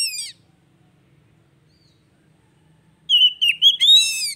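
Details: Oriental magpie-robin song used to stimulate a bird that has gone quiet: a brief high trill at the start, a long silence, then a burst of whistled, wavering notes mixed with sharp chirps.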